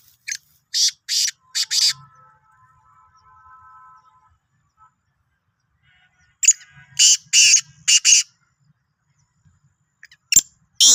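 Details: Sindhi black francolin calling: two phrases of loud, harsh, rasping bursts, about five grating notes each, separated by a quiet stretch with a faint thin tone, then two more bursts at the end.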